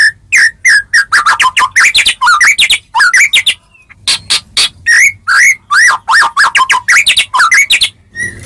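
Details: Continuous rich song of a white-rumped shama meant to trigger replies from other shamas: rapid, varied whistled phrases with many rising and falling slurs and crisp clicks, barely pausing throughout.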